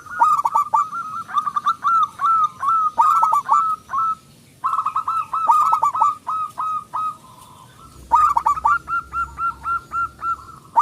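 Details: Lure song of a local zebra dove, meant to stir other doves into singing: dense runs of clipped, falling cooing notes, pausing twice before starting again.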